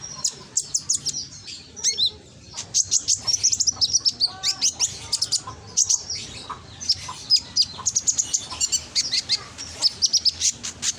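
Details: Loud konin lure song recorded in Gresik, East Java, used to stir reluctant birds into singing back. Dense, high, twittering phrases of quick chirps and sharp ticks run almost without a break, with one brief lull.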